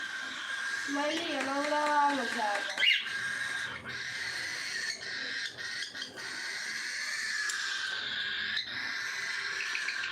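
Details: Cockatiels at feeding time fill the air with a dense, steady chatter of shrill, overlapping chirps, while a human voice briefly hums a wavering tune early on.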